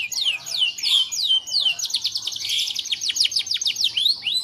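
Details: Energetic canary song meant to prompt other canaries to sing, mixing descending whistled slurs with quick repeated trilled notes in an unbroken, busy high-pitched warble.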